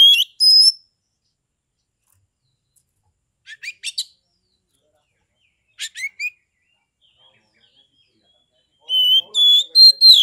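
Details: Oriental magpie-robin, a caged contest bird from Kebumen, Central Java, in fighting mood to stir rivals: whistled notes, two brief clusters of three quick chirps, then a burst of loud varied whistles.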